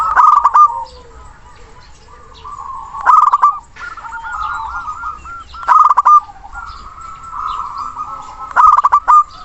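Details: Local zebra dove with a big voice and long breath, calling a rival: loud bursts of quick stuttering coos repeat about every three seconds over a continuous bed of softer cooing from other doves.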